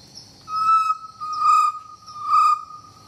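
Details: A chestnut-necklaced partridge (Arborophila charltonii) calls with a steady, mellow whistled note that swells about once a second, over a constant high insect drone.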